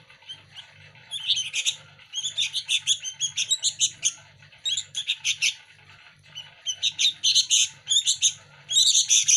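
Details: Young local sooty-headed bulbuls jostling for hand-fed food give bursts of harsh, rasping begging notes in quick pulsed series, separated by short pauses, with a steady low hum beneath.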